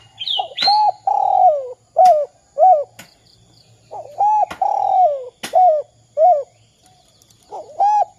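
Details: Spotted dove calling, used as a lure to set other doves calling: low, mellow coos in short groups of two to three notes, some drawn out and falling, with gaps between phrases and faint high chirps and clicks around them.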